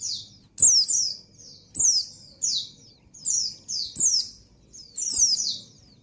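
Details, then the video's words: Female white-eye in breeding condition calling for the male, giving rapid strings of shrill descending chirps in paired bursts nearly every half second; faint low hum behind. "Suara Burung Pleci Betina Birahi Memanggil Jantan"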